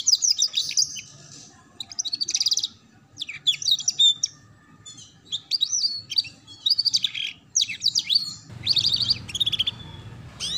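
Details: Canary song used to teach young canaries ngeriwik: bursts of high chattering trills and swept whistles separated by brief gaps, with a faint background hiss near the end.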